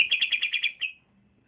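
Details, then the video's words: Young male green leafbird (cucak ijo) at the trotolan stage, said to already sing well and boldly when paired: a fast run of about eight bright, sharp chirps close together, ending in a fading note. "c ijo trotolan jantan masih muda udah bunyi mantap di gandeng berani"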